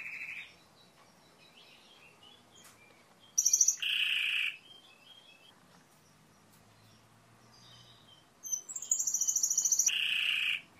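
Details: Timbrado canary giving short bursts of song separated by quiet pauses: a dense rolled phrase, several seconds of near silence, then a high pulsed trill dropping to a lower continuous roll.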